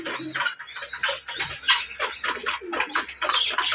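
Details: Ringneck parrots keep up a busy mix of harsh squawks and brief whistled notes, many overlapping calls without pause, and some faint low sounds beneath.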